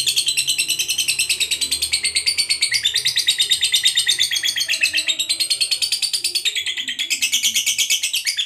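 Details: Sustained long trill (ngekek panjang) from a fighter lovebird: piercing, buzzy chatter pulsing around six notes per second without a break, pitch shifting slightly, meant to provoke rival lovebirds.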